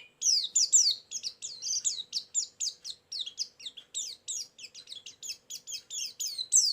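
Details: High, busy chirping in an unbroken string of short, sharply slurred notes, steady in pace throughout, from a white-eye lure recording with isian filler used for bird trapping.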